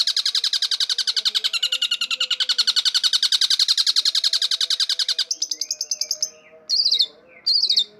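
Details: A long-tailed shrike, a champion songster recorded for use as bait or lure, gives a fast, harsh chattering run of about four notes a second for five seconds, then switches to varied high whistles and squeaky phrases.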